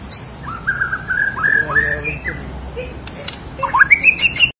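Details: Lively Borneo white-rumped shama song used to prompt silent shamas: a chain of clear rising and flat whistles, a pause with clicks, then quick high upward-sweeping notes before an abrupt stop, over background hiss.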